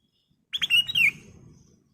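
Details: Ruby-throated bulbul; song; lure song to prompt caged birds to sing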